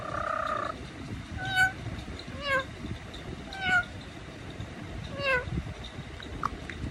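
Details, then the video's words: Indian ringneck parakeet imitating a cat's meow: a harmonic tone at the start, then four drawn-out, downward-bending meow-like calls spaced about a second apart, over a steady background hiss. "Funny Cat Sound, Parrot Voice Miaon Miaon"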